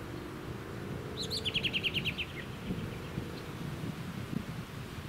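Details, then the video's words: American robin (Turdus migratorius) at Ludington, Michigan, USA, in June 2019: one quick run of bright, high chattering notes lasting about a second, over steady wind and low suburban rumble. "American Robin"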